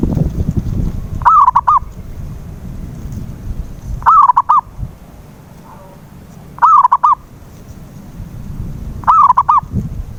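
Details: Zebra dove (local perkutut) calling as a lure to get a silent dove to sing: four low cooing phrases, each a drawn-out slurred note then two or three short clipped notes, about every 2.5 seconds over faint low rumble.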